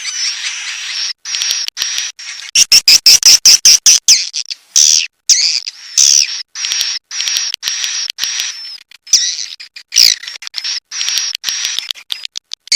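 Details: Swiftlet roosting call in loud bursts: buzzy high chirrups broken by short gaps, with a rapid run of sharp clicks near the start and more clicking later, roughly two calls a second.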